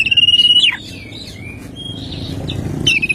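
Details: Oriental magpie-robin singing in the morning: a fast buzzy trill on one pitch ending in a sharp drop, soft warbled notes, then the trill begins again.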